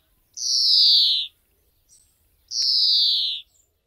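European greenfinch giving two long, buzzy wheezes, each about a second and gently falling in pitch, spaced roughly two seconds apart in an otherwise quiet setting.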